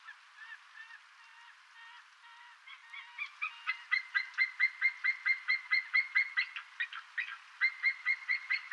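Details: White-tailed eagle (Haliaeetus albicilla) calling: faint, rapid chatter that swells into a loud series of high, yelping notes, about two per second, with short pauses between bursts over a steady background hiss.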